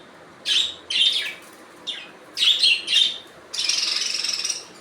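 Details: Budgerigars giving natural calls indoors: bright, scratchy high chirps in short bursts, then a longer continuous chattering warble toward the end, with quiet pauses between bursts.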